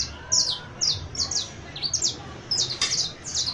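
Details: Canary recorded on 31 December 2022: a few loud, clear, high downslurred chirps, some paired, followed by a short, denser cluster of notes, with a quiet background.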